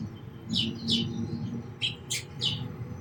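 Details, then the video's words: A few loud, clear sparrow chirps, single and paired, ring out with short gaps, over a low rumbling background. "Very Beautiful Birds & Sparrows Sounds"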